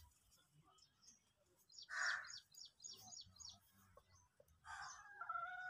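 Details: Indian peafowl during its dance display with feathers opened, giving a loud, harsh, nasal call near two seconds and a longer drawn-out call near the end, amid scattered small bird chirps.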